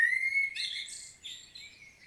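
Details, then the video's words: Common blackbird, recorded in Świnoujście, Poland, on 25 September 2022: a clear, slightly rising fluted whistle breaks into a rushed, squeaky, high-pitched chatter. "Blackbird's solo"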